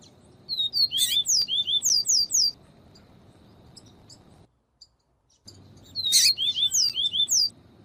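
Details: Viviti-style song of a double-collared seedeater, used to warm up and teach a cold caged male, mixed with female calls: two bursts of rapid, high, slurred whistled notes repeated in quick series, separated by a short silence.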